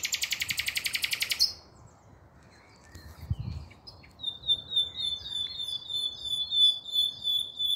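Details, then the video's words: Common nightingale song, 5 May 2023: an extremely fast machine-gun rattle of high notes stops suddenly, and after a pause a steady series of clear, high whistled notes repeats about twice a second. "Śpiew słowika rdzawego"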